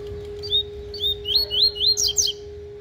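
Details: Capped seedeater giving a tui-tui song, a series of repeated slurred whistles rising in pace, ending in a rapid sharp twittering flourish, with a constant low hum behind.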